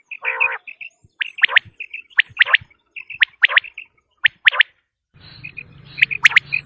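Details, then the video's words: A quail gives sharp, liquid three-note calls, about one phrase each second, a call used for quail hunting in Pakistan, with a steady electrical hum joining in near the end. "Batair ki Awaz | Quail Voice"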